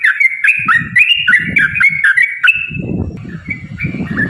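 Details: Yellow-vented bulbul in full 'ropel panjang' long rapid song, played as a lure to get other bulbuls singing: quick bubbling fluty notes rising and falling, then a sustained whistle fading out, with low rumbling noise underneath.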